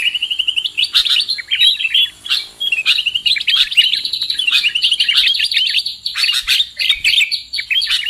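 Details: Sooty-headed bulbul sound used as a trapping lure: steady, busy twittering of many quick high notes with short breaks, sounding like several birds chattering together.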